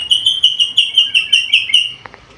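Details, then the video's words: Black-capped lory, a vocal bird able to talk, repeats about ten sharp whistled notes in a fast, even series over two seconds. Two brief clicks follow, then quiet. "MASTERAN BURUNG NURI KEPALA HITAM GACOR BISA NGOMONG SUARA BERVARIASI"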